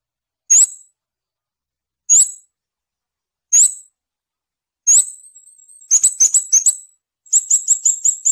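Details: Three evenly spaced sharp high notes from a scarlet-backed flowerpecker, then a drawn thin whistle and two bursts of rapid high twittering notes, set against silence.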